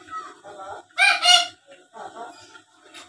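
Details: Black-capped lory, a vocal talking bird used as a lure to make rivals answer, giving soft harmonic chattering then two loud, harsh broadband screeches near the middle, followed by quieter nasal chatter.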